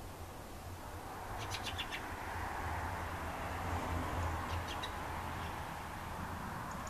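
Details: Fieldfare (Turdus pilaris) giving a brief series of dry, harsh chattering notes in quick succession, then a shorter burst later, over a steady low rumble of background noise.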